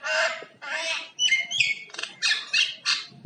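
Common myna running through a varied song: two harsh, noisy squawks, then clear whistled notes, then a string of gurgling, chattering phrases.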